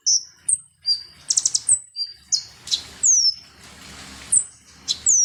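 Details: Konin sunbird singing as a provoking lure: scattered high chirps, a fast buzzy trill near the start, and thin downward-sweeping whistles, with a soft rushing background sound in the middle.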